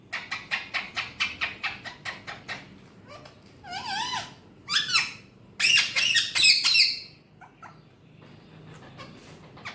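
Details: Alexandrine parakeet begins with a fast row of sharp clicking notes, about three per second, then wavering talk-like phrases and a loud raspy burst before falling quiet.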